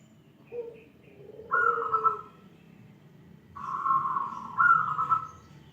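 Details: Zebra dove of a local wild-type line with a crystal-clear voice, cooing: a soft low coo, then a bright trilled phrase, a pause, then two longer rolling trilled phrases close together, over a low background hum.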